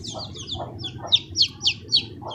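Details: High, thin chick peeps, about six short descending chirps in quick succession. Lower muffled clucks mix in beneath them, over a constant low hum.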